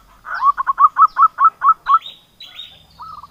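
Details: Zebra dove song used as a lure for silent doves: a run of about eight quick, clipped cooing notes, then higher, rasping sounds and a faint, quicker trill at the end, over light background noise.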